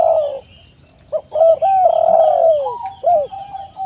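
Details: Spotted dove cooing used to lure others into answering: a slurred downward coo, a short silence, then overlapping soft phrases with a long descending note and brief arched coos, over a faint continuous electronic whine.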